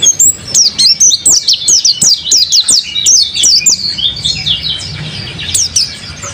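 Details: Clean, steady song of a kept mountain white-eye: rapid repeated high chirps, each sharply downslurred, evenly spaced at first and then blending into softer twittering toward the close.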